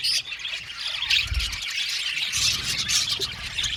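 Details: Budgies twittering in a steady wash of high, buzzy chirps with a few clearer squeaky notes, a low thump around one and a half seconds, continuous chatter to the end.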